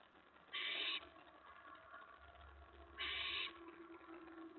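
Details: Nesting owl during a mouse delivery before dawn, 4:46 AM on May 15, 2017: a pair of harsh, breathy screeches about two and a half seconds apart, against faint low rumbling.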